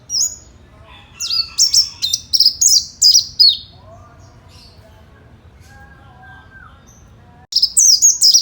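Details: Oriental white-eye giving fighter-style song to stir other white-eyes into answering: a burst of high, sharply dropping chirps, a pause with faint lower sounds, then another quick burst of chirps.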